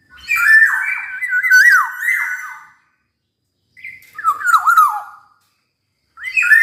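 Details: Energetic Black-naped oriole song: long wavering phrases of slurred whistles with rough, nasal overtones, a long burst followed after a pause by a shorter descending series.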